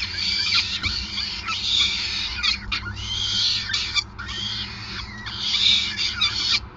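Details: Rasping, insistent screams of peregrine falcons during a long feeding at the Gasunie nest in Groningen on 5 May 2020, delivered in surging bursts with short gaps.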